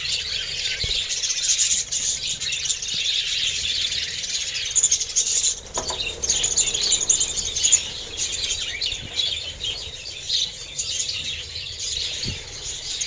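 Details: Budgerigars in a breeding aviary in July chatter together in a dense, continuous wash of high, scratchy warbles and squeaky chirps.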